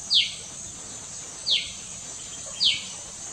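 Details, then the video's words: Common tailorbird, loud and living behind a house at Doi Chorakhe, Mae Chan, Chiang Rai, Thailand, 26 June 2018, giving three sharp, high notes that slide downward, about one every second and a quarter, over a steady insect hiss. "นกกระจิบธรรมดา (Common Tailorbird)"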